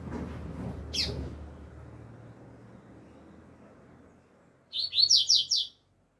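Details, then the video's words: Double-collared seedeater singing its alegria tuí tuí zeo zeo song in the open air. Low rumbling background noise and a lone sharp chip come first, then a quick burst of bright, slurred whistled notes near the end. "COLEIRO ALEGRIA TUÍ TUÍ ZEO ZEO CANTANDO AO AR LIVRE"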